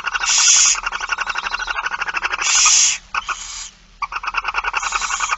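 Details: Barn owl feeding scene, 8 September 2019, 16:02: long harsh hissing screeches alternate with dense, rhythmic snoring clicks, about one burst every two seconds.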